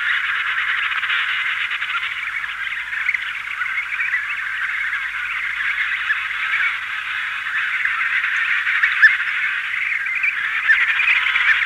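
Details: A colony of emperor penguins, adults with chicks, fills the air with an unbroken wall of overlapping honking and trilling calls, evenly loud for the whole stretch, slightly hissy in the background.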